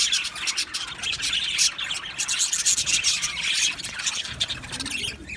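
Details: Male budgies in a colony aviary, 8 December 2025: busy high-pitched warbling and scratchy chirps from many birds at once, forming a steady rasping chorus with loud bursts.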